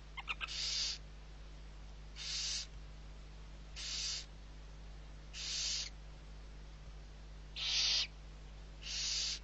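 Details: Feeding time for six barn owl owlets at Riet Vell reserve, Ebro delta, Spain, November 21, 2023; a few quick clicks open a run of six harsh hissing bursts, spaced about every two seconds.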